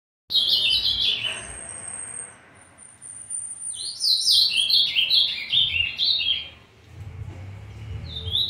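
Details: A young, brown-plumaged Ultramarine Grosbeak just starting to develop its song gives bursts of high, warbled, slurred notes, loose and unpolished, with quiet pauses between phrases.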